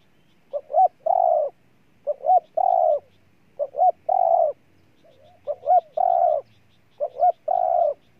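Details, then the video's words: Cooing spotted dove, Ninh Thuận, Vietnam: regular three-part phrases of two quick rising notes and a longer hoarse coo, repeated about every one and a half seconds; faint distant bird chirps behind. "Cu Gáy Ninh Thuận"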